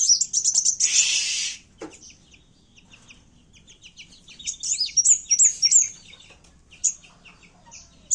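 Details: Kowul calling aggressively as a lure for trapping birds: quick high chirps, a harsh noisy burst, scattered soft ticks, then bright zigzag trills and single sharp notes.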